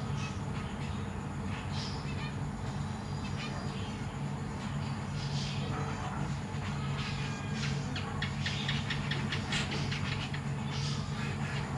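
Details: Zebra finch family in a large cage, adults busy feeding newly fledged chicks alongside three juveniles; rapid clusters of brief harmonic chirps, densest in the second half, sit above a steady low droning hum.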